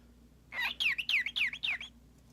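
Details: A tame, hand-fed male pet cockatiel gives five quick, bright chirps in just over a second, each a slightly harsh slurred whistle, over a faint low indoor hum.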